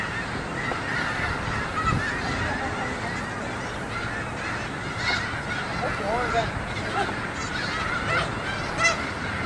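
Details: Thousands of snow geese on migration, resting on a school yard, produce a relentless roar of honks. Louder nasal barks cluster in the middle and near the end.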